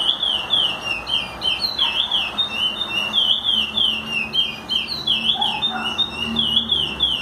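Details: A chestnut-bellied seed finch song used for teaching young birds: a fast, continuous run of clear whistled notes sliding up and down, with a faint low hum underneath.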